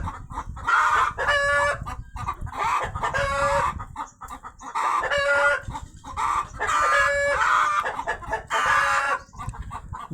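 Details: After a hen lays eggs, a rooster keeps shouting: loud, rasping, harmonic calls in clustered bursts roughly every two seconds, separated by short quieter gaps.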